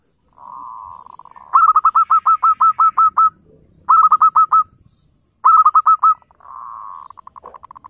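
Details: Local zebra dove lure call intended to make wild flock doves answer: a purring trill, then three bursts of rapid, ringing hooked notes separated by short pauses, closing with another rolling purr.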